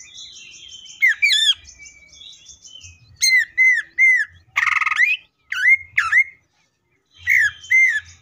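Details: Greater green leafbird in full tembakan mode: a high buzzy trill leads into repeated loud down-slurred whistles, a harsh rasping burst midway, then more clear falling whistled notes separated by short silences.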